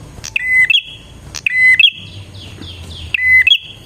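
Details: Bar-winged prinia song for luring wild birds: three phrases of a flat whistled note rising into a longer buzzy note, with soft falling chirps from another bird in the gap.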